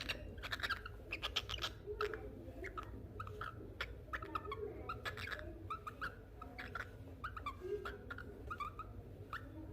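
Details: Cockatiel talking: a steady run of short, harmonic chirps and chattering notes, tightly repeated, with sharp clicks scattered throughout and a low background hum.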